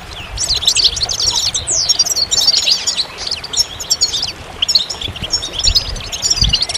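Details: Goldfinch song of bright, rapid twitters and tinkling notes, including a downward slurred note, in a busy unbroken run over quiet background.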